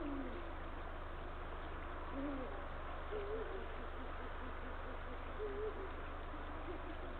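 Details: Series of low hoots at varying pitch, some wavering, from a male Eurasian eagle-owl calling the female around the nest on a late February afternoon, 2023, with faint background hum.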